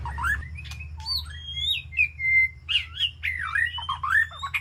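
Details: Aviary White-rumped shama calling to its flock: sliding, bending whistles, some held steady, others dipping and rising, closing with a cluster of wavering notes over a faint low hum.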